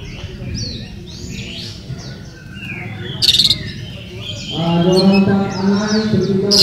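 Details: Oriental magpie-robin (murai kampung) at a 2018 songbird contest in Sri Aman, Sarawak, Malaysia, judged on song and style: quick, varied whistles and sliding high notes, with a loud human voice cutting in near the end.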